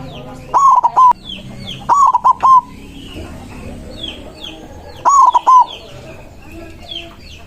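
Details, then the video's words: White zebra dove singing forcefully to summon rivals, three rolling coo phrases in quick succession, each a burst of stuttered notes ending in a prolonged tone, with soft chirps from other birds behind. "Perkutut putih gacor suara besar ampuh memanggil lawan bunyi emosi manggung"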